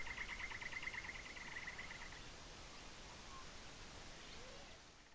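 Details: Greater sand plover, a common winter visitor, at Dapeng Bay on 18 October 2018: a fast rattling trill of short notes runs about two seconds, then a faint single note follows against steady wind and background hiss.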